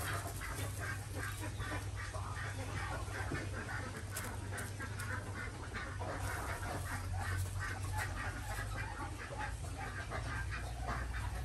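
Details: Morning egg gathering at a village duck farm in Andhra Pradesh, India: many Desi ducks quacking at once in a dense, continuous, harsh chatter, with a steady low rumble in the background.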